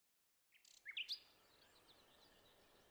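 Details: A Silvereye in New Zealand, eating an apple, gives a quick burst of thin, high chirps lasting under a second, followed by a faint outdoor hiss.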